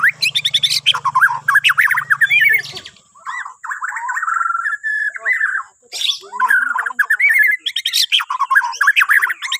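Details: Borneo white-rumped shama singing as a morning prompt for other birds: energetic, varied song mixing rapid high trills, chattering runs and whistled phrases, with a low hum during the first three seconds and a steady high tone throughout.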